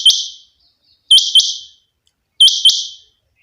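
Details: Rain quail giving sharp, high, metallic double notes, 'whit-whit', each pair about a second and a quarter apart, with clean silence between.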